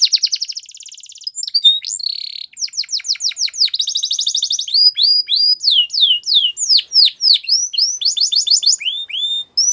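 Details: Male canary singing a long varied song: fast buzzy trills, rapid downslurred whistled notes repeated several times a second, and bright rolling phrases that keep changing, sung loud and clean with no other sounds.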